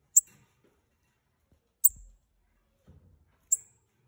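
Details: Three sharp, very high chips from a bananaquit pair, spaced under two seconds apart, with brief low thumps and rustles between them.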